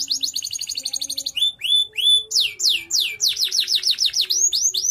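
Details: Contest canary singing loudly: a fast rolled trill gives way to rising whistled slides, then a series of quick downward-sweeping notes repeated about three times a second, all very high and bright.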